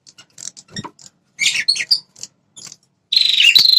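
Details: Red-headed prinia call used as a lure to make territorial wild males respond aggressively: scattered sharp ticks and chips, then a loud, fast buzzy trill held near one pitch at the end.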